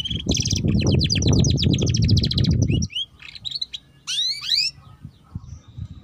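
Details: Canary lure song for young canaries learning ngeriwik: a quick even trill for about three seconds over heavy low noise, then scattered chirps and a loud pair of sharp upswept whistles.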